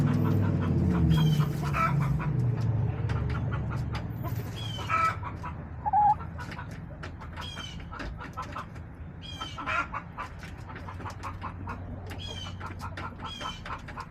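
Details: Backyard chickens on a March day: loud low rumbling and clucks at the start, then quieter bursts of short clucks and scattered chirps throughout.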